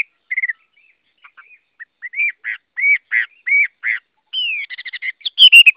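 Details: Chinese hwamei singing a varied run of clear whistled notes, short slurred phrases and brief rising and falling whistles, ending in a longer descending whistle and quick bright notes; no other sounds.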